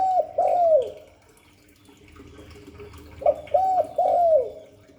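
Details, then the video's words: Spotted dove, a Vietnamese ground dove of the Hạp Bổi 38 voice, giving its full calling and cooing routine: short low hooting coos around 600–700 in two bursts of two and three notes, separated by a quiet gap, faint background hiss. "Tiếng chim cu gáy Giọng Hạp Bổi 38. Đủ bài THúc GÁY GỌI - GÙ HAY Kích Bổi Nhanh Nổi, Cu đất gáy"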